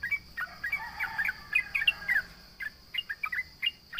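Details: Sooty-headed bulbul singing vigorously to provoke rivals: clustered gurgling, warbled chirps in a dense run, then spaced sharp chirps about every third of a second, with a constant high-pitched hum behind.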